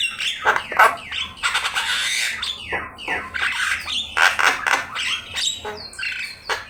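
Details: Javan myna singing busily in a training master track: long raspy, noisy squawks mixed with descending slurs and a few high whistled notes near the end.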